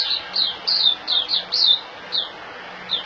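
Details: White-eye, locally called puteh, a caged bird held in the hand in Singapore, recorded 26 January 2018. It sings short, high, bright notes that slide downward, given in a quick uneven series with brief pauses.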